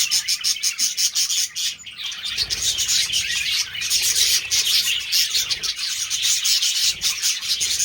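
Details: Several budgies during mating give a dense, continuous high chatter of rapid chirps and warbles, with brief louder squeaks and almost no low sound.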